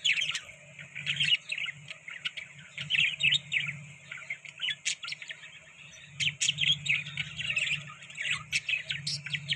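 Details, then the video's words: Budgies at soft food keep up a busy high warbling chatter with sharp chirps and clicks, rising and falling in loudness over a constant low mechanical hum. "Beautiful Budgies Eating Soft Food|Budgies Chirping Sound"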